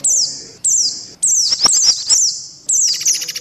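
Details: White-eye lure sound from a combined lure track. Clear high chirps sweep downward, repeated about every half second, with brief clicking notes between them and a short trill at the close.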